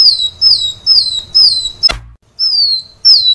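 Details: Sunbird on a recording used to train caged birds, giving thin high whistles that slide downward, with one brief thump partway through.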